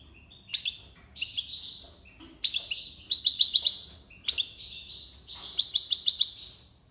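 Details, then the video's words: European goldfinch singing in the tiwawati and libasad song styles: high buzzy drawn-out notes broken by quick bright ticking bursts of four or five notes, phrases repeating about every two seconds, with no other sounds noticeable. "مقنين(حسون) تيواواطي ليباساد"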